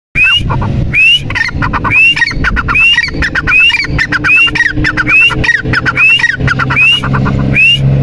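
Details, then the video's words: Partridge, called teetar, calling loudly and steadily: a rising whistled note followed by a burst of rapid clipped clicking notes, repeated about every 0.7 seconds throughout, with a faint low rumble underneath. "Teetar ki awaaz"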